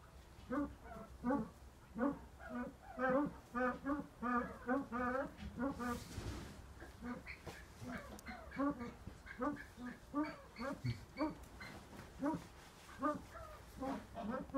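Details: White Eared Pheasant (Crossoptilon crossoptilon) at a pheasant breeding nursery gives harsh, nasal, throaty calls in quick runs of about one or two a second, with a brief noisy rustle partway through.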